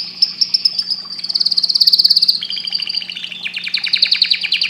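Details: Singing canary producing long chains of bright, buzzy rolled notes, about three or four per second at first, then speeding into fast trills that step lower in pitch, over a faint constant hum.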